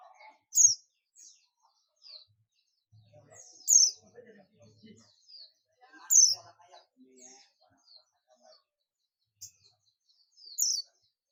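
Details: A buxtomi Oriental white-eye repeats its ngalas companion call. Single thin, high, down-slurred chirps come roughly every three seconds over quiet human speech and soft background ticking.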